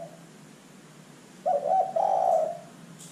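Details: A single spotted dove phrase used to prompt other birds to call: a brief, stuttered double hoot leading into a longer, low, burry coo lasting about half a second, against soft steady background noise.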